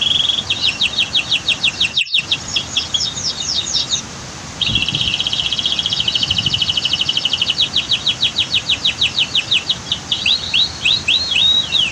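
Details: Canary song for training other birds, over constant water rush from a waterfall and dam: fast buzzy trills, a brief pause, then a long rolling trill of repeated high notes slowing into spaced, chopped elements.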